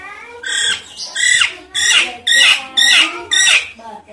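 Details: A Nias hill myna gives six loud, harsh, nasal squawks in quick succession, each rich and ringing, roughly two per second, with no other sounds; a call used to lure or stimulate other Nias hill mynas.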